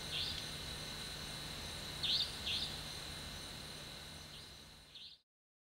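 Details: Nightjar, possibly a Common Indian Nightjar (Caprimulgus asiaticus), gives short, harsh, whiplash-like buzzy notes at irregular intervals, five in about five seconds, in Panna National Park, India, in the dead of night, over a steady insect drone and low hum.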